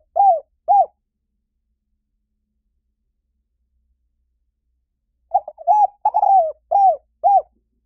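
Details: Spotted dove calling as a lure to bring wild doves in quickly: two short hollow coos, a long silence, then a tight cluster of five or six rounded coos in quick succession.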